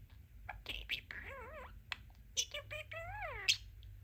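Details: Male pet budgerigar talking, saying his new phrases "Let's Rock" and "Let's Play": quick chattering syllables with gliding, wavering tonal sweeps and sharp clicks, indoors with a low steady hum.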